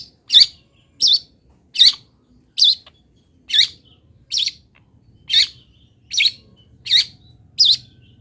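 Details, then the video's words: Long-tailed shrike, a local bird from Pati, giving its song fill material as a training master: a steady series of short, high chirped notes, roughly 79 per minute, each note alike, over a faint low hum. "ISIAN WAJIB BURUNG CENDET"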